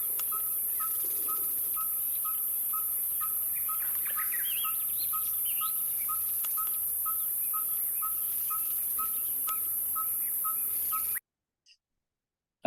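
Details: Red-fronted Tinkerbird singing a slightly faster song than the yellow-fronted tinkerbird: a long, even train of short, pure piping notes, roughly two per second, with brief chirps from other birds around the middle, then silence at the end.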